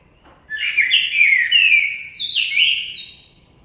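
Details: Common blackbird song phrase lasting about three seconds: rich, mellow whistles gliding up and down, followed by a squeaky, high-pitched twittered flourish, with no other sounds.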